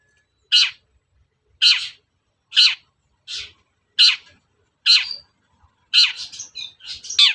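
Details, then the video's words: Long-tailed shrike sound played to goad caged shrikes into answering: evenly spaced harsh scratchy notes about once a second, ending in a quicker jumble of rasps and brief whistled notes. "SUARA PANCINGAN BURUNG CENDET AGAR EMOSI & NYAUT GACOR"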